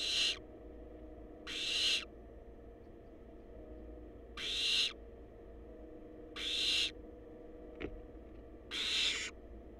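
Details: Five harsh, noisy hisses from wild barn owl chicks in a monitored nest box, irregularly spaced over ten seconds, with a brief click between the last two and a low background hum.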